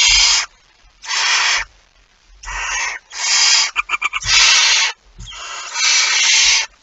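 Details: At a nest holding prey on 23 September 2019, a barn owl gives long rasping hisses in a steady series. One burst breaks into quick stuttering fragments midway. Soft low thumps sound beneath.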